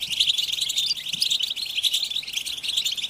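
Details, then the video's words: Dense goldfinch twittering chorus used to stimulate captive male goldfinches to sing. Unbroken wall of sharp, high, rapidly repeated chirps and tinkling trills with no other sounds. "بتبتة الحسون تحفيز الحسون على التغريد والهيجان علاج صمت الحسون goldfinch stimulation"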